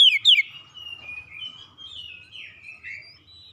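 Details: Oriental magpie-robin, a kept bird, used as therapy for a stressed bird: two sharp, descending whistled notes open, then a soft, continuous, scratchy warble drifts on quietly to the end.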